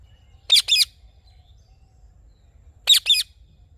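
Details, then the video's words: Morning calls of a rose-ringed parakeet: two quick pairs of short, rasping, high squawks about two seconds apart, with quiet in between. "Parrot Morning Sounds"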